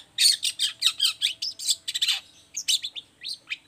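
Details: Long-tailed shrike in a lively lure song meant to set other shrikes answering: a fast, jumbled run of high scratchy chirps and short whistled notes, tightly packed and varied, briefly pausing before more sharp notes.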